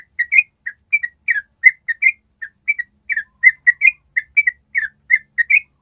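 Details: Ropel song from a yellow-vented bulbul, a long trill used as a master for training birds. Clear, whistled, slurred chirps come in quick irregular groups, with quiet gaps between them.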